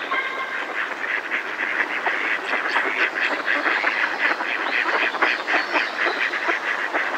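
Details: Close alarm calls from a flock of Mallards in a decoy, with a coot and a distant robin also present; dense, overlapping harsh quacks pour out several times a second without pause.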